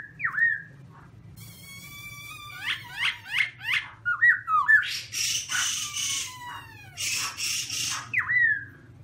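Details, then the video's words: A caged black-throated laughingthrush (Garrulax chinensis) sings very loudly: ringing whistles, quick downslurred notes and bursts of harsh, rasping chatter in a lively, varied stream. "Birds Garrulax chinensis massive body,health,good singing voice"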